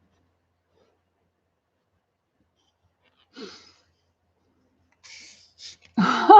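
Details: Quiet room with a few breaths and short bursts of human voice near the end; no animal sound.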